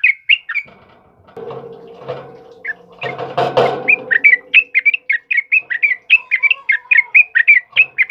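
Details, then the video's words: Chatty sooty-headed bulbul used as a lure and master for cage birds: opening whistled notes, a burst of loud low noisy chatter, then a brisk run of bright rising-falling whistled phrases. "SUARA TRUCUKAN GACOR Cocok Buat Masteran Dan pancingan"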